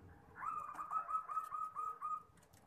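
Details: Zebra dove song from a champion local bird used to train young birds: a rapid, slightly rising series of short rolling coos strung into a trill, with soft room noise behind.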